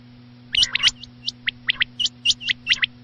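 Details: Quail heard at night giving rapid sharp whistled notes, some doubled, in a short irregular sequence with a faint low hum behind.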